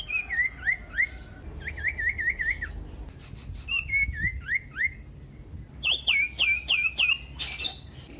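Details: Common iora song used as a lure to set other ioras singing loudly and excitedly: varied whistled phrases around two to four kilohertz, descending chevrons and rising sweeps repeated in quick series, with faint clicks between bursts.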